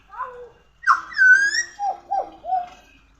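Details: Pied butcherbird song: a soft low whistled phrase, then a pause and a loud, clear whistled note sliding downward, followed by three shorter falling whistles. The notes are rich and flute-like, with no other sounds.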